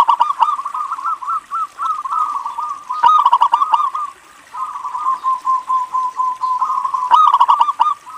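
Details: Lively local zebra dove from Indonesia, its song meant to draw other zebra doves into singing: continuous trilled, rolling coos repeated rapidly in phrases, with a brief pause midway and a couple of sharp knocking clicks.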